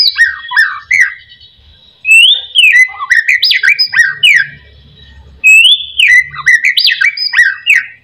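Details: Whistled shama song meant to spur other white-rumped shamas into song: two bursts of clear, swooping whistles and sharp ascending notes separated by a short quiet gap, with a faint low hum beneath.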